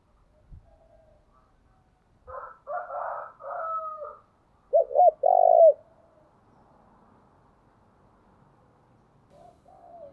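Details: Spotted dove used as a decoy, calling: a rough, throaty burst followed by a loud, clipped coo phrase of three quick notes merging into a longer hum, then quiet with a faint coo at the end.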